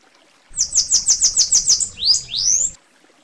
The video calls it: canto do sibite (Coereba flaveola)